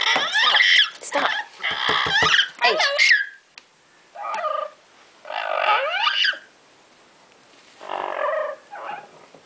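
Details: A female double yellow-headed amazon, excited while playing in her favourite hiding place, an open cabinet, gives loud, raspy chattering bursts and speech-like squawks with rising notes, in about five bouts, indoors.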